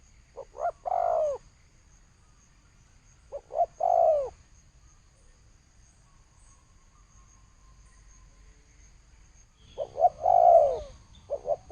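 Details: Spotted dove giving thổ sấm style coo phrases, each a few short stuttered notes ending in a longer descending coo, separated by long silent pauses.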